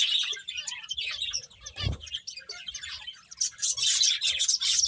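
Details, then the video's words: Chirping finches while eating, rapid high twitters throughout, with one dull low thump near the two-second mark before the chorus swells again. "Cute Birds Chirping Sounds | Beautiful Finches Eating"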